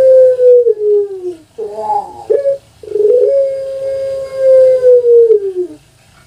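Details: Long-voice cooing from a pet puter pelung, an Indonesian dove breed popular on Java: a falling low note, a burst of gurgling rolled notes, then a very long steady tone lasting nearly three seconds before dropping away.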